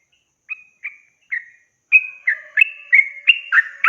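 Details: Yellow-vented bulbul song used as a tutor for young birds: short whistled notes at first, then a lively run of bubbly, liquid phrases rising and falling, about three per second.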